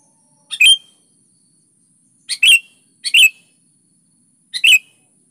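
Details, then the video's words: Sooty-headed bulbul singing vigorously in short clipped bursts: four brief two-note chirps, each a soft pickup note before a louder whistled note, scattered over five seconds. "SUARA BURUNG KUTILANG GACOR"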